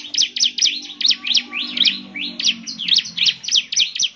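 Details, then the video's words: Bar-winged prinia song for prompting replies from other prinias: fast sequence of high, slurred chirping notes, slightly varied, continuous over four seconds, over a soft low hum. "Inilah suara ciblek GACOR paling di gemari, SEMUA ciblek pasti langsung NYAUT"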